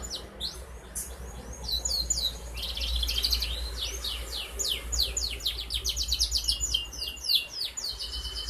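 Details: Four-month-old canary singing to prompt other canaries, recorded on 11 August 2021: long, very rapid high trills of repeated chips, almost four notes a second, rolling on continuously over a low background hum.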